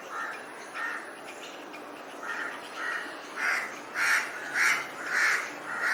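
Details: About ten hoarse caws from a crow getting ready to build a nest. They are spaced roughly half a second apart and grow louder and more forceful toward the end.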